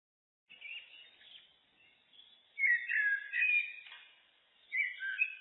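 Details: Common blackbird song, looped: mellow warbled phrases start softly, then a louder, richer fluty burst around the middle, followed by a further rising, twittering phrase near the end, with short pauses between phrases.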